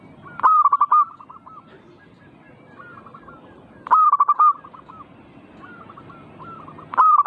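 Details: Zebra dove, recorded to provoke other doves to sing, delivers three loud phrases of rapid stuttered cooing notes, each closing with a held coo, roughly every three seconds. Quieter doves call in the gaps.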